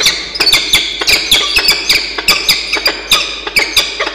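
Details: Peregrine falcons in a nest box at Charles Sturt University, Orange, NSW, Australia, 27 Feb 2022: Xavier wakes Diamond for bonding, with harsh, grating, high calls in quick bursts, a little under two per second, and sharp clicks and knocks between.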